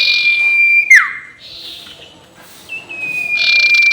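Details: Sirtu ngekek call used to provoke rivals: a steady high whistle ending in a quick downward swoop, then rasping buzzy phrases and a renewed level whistle.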